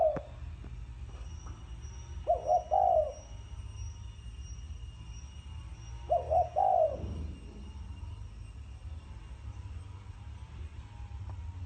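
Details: Two widely spaced coo phrases from a spotted dove in the thổ sấm manner, each a clipped double note then a sliding longer coo, over a constant low rumbling hum and a faint high tone.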